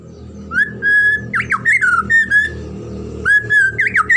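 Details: White-rumped shama, a young bird, singing as lure and master song for training other birds: clear whistled notes held steady, then quick rising and falling slurred phrases, repeated after a pause, over a low steady hum.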